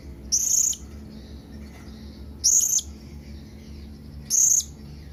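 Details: Companion-calling blue-crowned hanging parrot: three sharp, high, thin whistled notes, each under half a second, spaced roughly two seconds apart, with low background hum.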